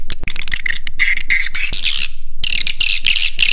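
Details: Swiftlet lure sound used to attract birds to roost, Raja Di Laut style: rapid high twittering chirps in an unbroken stream, with a short pause before the chatter resumes.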